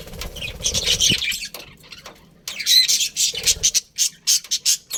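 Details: Colourful budgerigars of a breeding colony chatter, a lower hum-like note and soft chirps first, then after a short lull rapid, pulsing squeaks and warbles crowd together.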